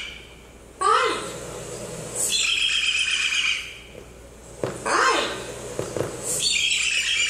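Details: A captive parrot gives harsh, broadband squawks alternating with bright, high, harmonic whistled notes, three bursts over several seconds, including sounds learned in captivity such as the word "hi".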